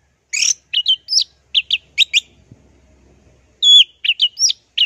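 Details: Song of an orange-headed thrush in the plong and teler style, from a training recording for songbirds: lively clusters of clear whistles and sharp notes, a short quiet gap, then a loud looping whistle followed by further quick phrases.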